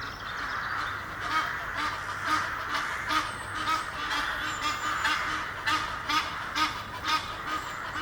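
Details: Egyptian goose pair up a tree near Henley upon Thames, England, courting. Raucous, honking cackles go on throughout in a rapid, uneven series over a steady rushing background.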